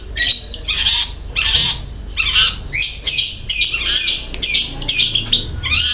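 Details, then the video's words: Long-tailed shrike pouring out harsh fill-in phrases: loud grating, buzzy rasps follow one another almost without pause, with brief high whistles slipped in. "BURUNG CENDET GACOR MEWAH ISIAN KASARAN DAN TEMBAKAN ROLL SPEED"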